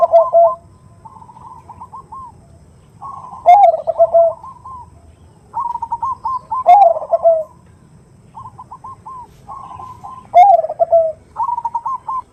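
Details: Lure call of a female perkutut (zebra dove) summoning a male, the 'nutut' sound. Loud coo phrases come every three to four seconds, each joined by bursts of soft, quick, stuttering notes.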